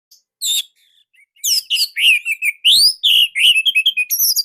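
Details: Orange-headed thrush song used as a lure for training other birds: short, tight, loud phrases of varied whistled and chirped notes, some rising sharply, delivered in a rapid jumbled series after an opening call.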